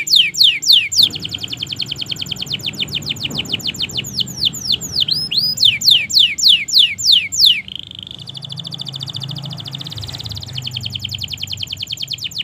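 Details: Long canary song meant as a training track to get silent canaries singing: loud descending sweeps and rapid trills for about eight seconds, then a thinner steady buzzing trill, low hum beneath.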